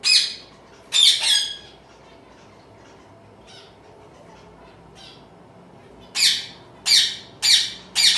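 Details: A home-bred baby zebra finch (Taeniopygia guttata) sings juvenile song: harsh, nasal, buzzy squawks, single or in quick pairs, several seconds of quiet between early notes, then a faster run of four near the end.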